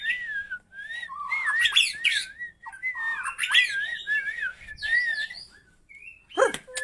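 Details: White-rumped shama with a 20 cm tail singing wavering, undulating whistles mixed with harsh chattering bursts, ending with a sharp loud call.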